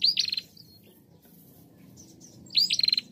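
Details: Female bar-winged prinia (Prinia familiaris) gives two quick bursts of sharp, high chirps, each under a second, with a quiet pause between them; used to lure other prinias into calling.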